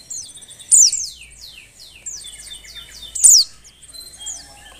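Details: Female Oriental white-eye in breeding condition, calling to stir males to sing; two loud high downslurred chirps framed by softer overlapping twittering notes.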